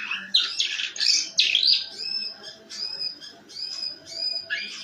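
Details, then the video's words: Canary with a rough ngeriwik song meant to stimulate other canaries to sing; loud harsh bursts at first, then sustained high whistled tones and thin trills. "kenari ngeriwik kasar buat pancingan"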